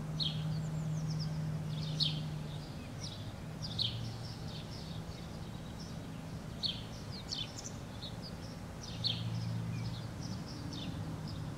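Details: A white wagtail on a cliff face in Helsinki, Finland, in June 2013 gives brief, sharp, high chirps, scattered irregularly a few per second, over a steady low engine-like hum.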